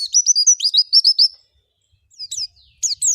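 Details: Javan white-eye (pleci) singing: a rapid run of high, thin, slurred chirps for about a second and a half, a pause, then two short bursts of sharp twittering notes. No other sounds.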